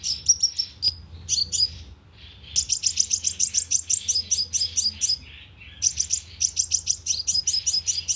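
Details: Sunbird calls played as a trapping lure: thin, whistled chips, then long rapid trains of sharp high notes with one short silence and a low hum underneath.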